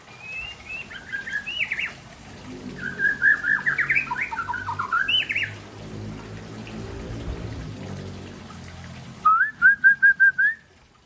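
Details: Afternoon song of an Aceh-type white-rumped shama. Varied whistled and chattering phrases rise and fall, and a rapid, evenly repeated trill of about six notes closes the passage. There is faint low background rumble.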